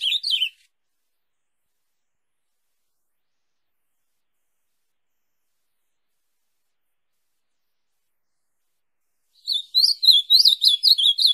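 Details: Song of an ultramarine grosbeak meant for teaching a pet bird: a short warbled fragment, then long silence of about nine seconds, then a fast run of slurred whistled notes starting again at the end.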